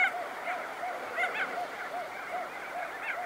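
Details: Crested auklets emerging from burrows with wingbeats: a brief stretch of many overlapping soft, nasal, honking calls from a crowd of birds.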